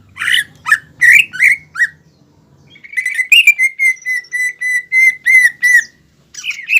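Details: Green leafbird song carrying fighting mimicry used to provoke another leafbird; a few harsh slurred notes, then a steady series of clear mid-pitched whistles repeated about three times a second.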